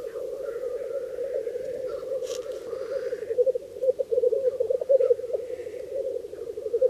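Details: Displaying black grouse males in spring at the Bažu bog lek, Slitere National Park, defending their lek territories: a continuous low warbling bubbling that swells in the second half, with one brief hissing sneeze and a few faint higher calls.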